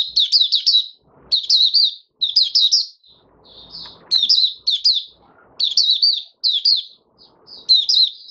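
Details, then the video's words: A caged oriental white-eye gives open song five days after monthly deworming, January 2022: bright twittering phrases about half a second long, repeated with short silent gaps, plus faint rustling. "Mata Puteh Raja Video 1 buka sing"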